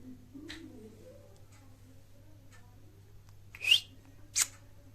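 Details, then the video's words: Several baby Indian ringneck parakeets kept indoors: two sharp, harsh screeching calls close together near the end, each sweeping up briefly, after faint soft chirps, over a steady low electrical hum in a small room. "Baby parrot kitne saare"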